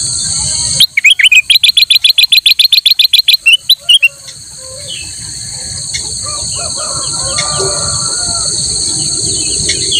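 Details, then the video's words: Black-crested bulbul in full song as a master recording for training other birds. A long, rapid series of sharp chirped notes lasts about three seconds over a constant high insect whine, with faint bird calls afterwards. "kutilang emas gacor buat masteran burung lain"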